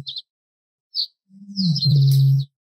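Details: A male Eurasian bittern in spring in Somerset, UK, gives its boom, said to carry up to three miles. One deep, hollow boom of about a second, like a blow across a bottle, while small birds chirp high above it.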